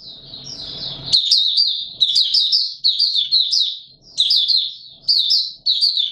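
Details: Mata Puteh Raja white-eye in open song, 20 March 2022, warm humid weather; a low rustling opens before lively high-pitched twittering bursts follow one after another.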